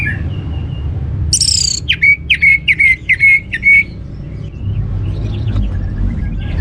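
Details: Orange-headed thrush singing as a lure to set other birds singing: one bright high rasping burst followed by a brisk string of similar whistled notes, each dipping then levelling, about seven in a row, above constant low rumbling.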